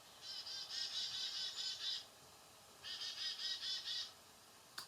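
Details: A Black-capped Chickadee, a year-round resident in Sutton, Québec, recorded in winter, gives two runs of hoarse, buzzy dee-dee-dee notes, each about two seconds with a short pause between, then a faint click.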